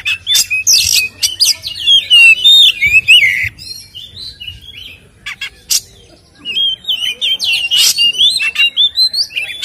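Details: White-rumped shama in full song, played as a lure to make captive birds agitated; dense bursts of fluty, looping whistles and harsh rasps, a short pause, then quick repeated whistled phrases.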